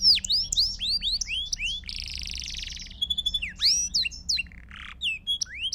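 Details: Belgian canary song for teaching young birds: quick rising whistled chips, a harsh buzzy stretch, a pure held tone, then more swept notes and a short rasp.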